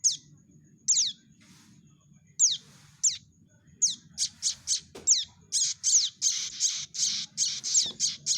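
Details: Prinia chick calls used as a lure for trapping birds: high, thin chirps with sharp downward sweeps, at first spaced about a second apart, then crowding into rapid runs of bright squeaky notes over a low background hum.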